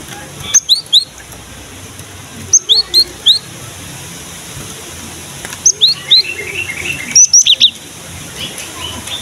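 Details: Cinereous tit (gelatik batu) singing strongly, used as a lure recording to get young or quiet birds of the same kind calling: clear, high, sharp double notes given in short bursts of three to four, with pauses of about two seconds and a quiet background.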